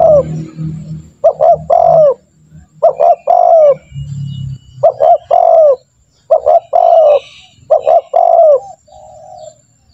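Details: Spotted dove call used as a lure to train captive birds to call, repeated phrases of a short double coo followed by a longer drawn-out coo, low and hollow, with brief pauses and faint low background rumble.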